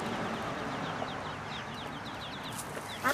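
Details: Ducklings peeping: thin, high, downward-slurred peeps repeated rapidly and steadily over a constant broadband background hiss, with a brief louder knock near the end.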